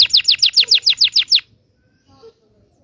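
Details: Local Indonesian canary, recorded to help young canaries learn their song: about nine sharp descending whistled notes in quick succession, then near silence with a faint soft sound.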